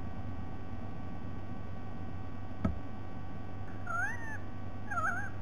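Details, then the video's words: White-bellied sea eagle recorded on a date given as 07 12 2020, two wavering, nasal, slightly rising calls near the end, after a sharp click, over a steady low rumble. "White bellied Sea Eagle"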